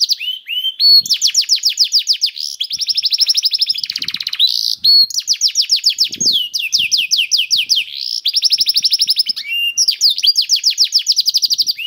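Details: Canary song for prompting other canaries to sing, nearly continuous over twelve seconds: fast rolling trills of high, downward-swept notes, switching between rapid and slower rolls, with brief swooping whistles between phrases.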